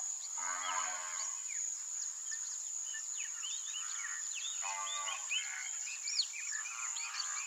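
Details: Brazilian teal giving two short, reedy harmonic calls about four seconds apart, set against a constant high-pitched insect whine and many quick, scattered chirps from other birds.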